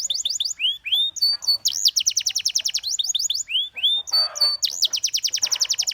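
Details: Canary song made of rapid trilled tours: fast repeated high notes, sweeping upslurred whistles and a short buzzy rattle, changing phrase every second or so, loud and close with a quiet indoor background.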